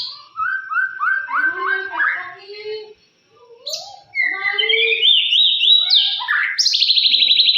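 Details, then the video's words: White-rumped shama lure song for provoking other shamas: a run of repeated, rising, whistled notes, a pause, then climbing, stepped whistles ending in a fast, buzzy, high trill. "PANCINGAN MURAI BATU DIJAMIN LANGSUNG EMOSI"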